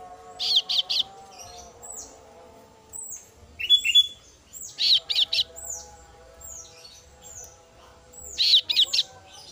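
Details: Kasu-kasu bird chick, female, calling to its parent: groups of two or three loud, high chirps repeated every couple of seconds, with softer down-slurred notes in between.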